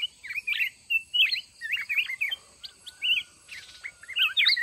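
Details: Red-whiskered bulbul, mountain form, at a fighting trap with a decoy kept caged a month: energetic chains of short looping whistles, loud and closely spaced, with a faint buzzy note midway.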